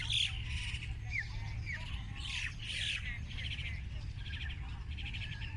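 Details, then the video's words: Outdoor birds chirping: a mix of short squawks, rising whistled notes and rapid chattering trills, over steady low rumbling background noise. "Listening To The Birds Chirping"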